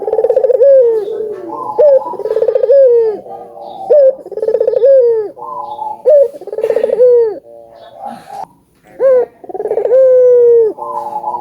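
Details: Collared doves, albino among them, in lively gacor song used to stimulate other doves: a dense chorus of overlapping rolled coos and long, falling tonal notes repeats at a steady pace.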